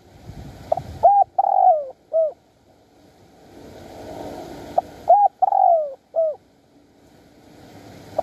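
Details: Wild spotted dove at Bang Bai Mai in Surat Thani, Thailand, giving a mate-calling coo during dove luring: two soft, hollow phrases of a short note, a longer falling croon and a brief closing coo, separated by a quiet gap.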